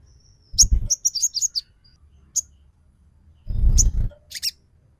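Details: Sogon trotol, a sunbird, as a lure to provoke singing: a short, wavering high twitter of quick notes, then a loud low thump and a few final high chirps.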